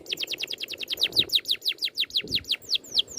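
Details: Rolling oriental magpie-robin song from a bird training recording: a steady rapid series of loud descending whistled notes, roughly five per second, easing to a few spaced sweeps at the close.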